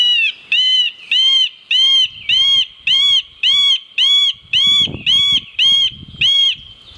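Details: Middle spotted woodpecker (Dendrocopos medius) giving a slow series of eleven nasal, whining notes, each drawn-out and evenly spaced about two-thirds of a second apart, over faint low rumble.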